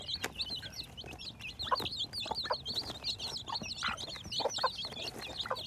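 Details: Spring 2021 chicks hatching: many birds keep up rapid, thin, upward-sweeping peeps without pause, joined by occasional short lower clucks.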